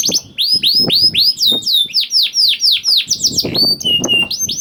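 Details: Young canary singing, used as a lure to prompt reluctant canaries to sing: a dense, continuous run of high swooping whistles and rapid trills, with downward-sweeping notes repeated about four per second and light low clatter beneath.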